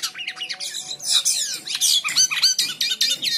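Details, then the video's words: White-shouldered triller in energetic full song, used for training other birds: rapid high-pitched chirps, trills and downslurred whistles, tightly packed at about four notes per second, with a faint low hum underneath. "Burung Jalak Kapas / Kapasan Gacor l Untuk Masteran Durasi panjang."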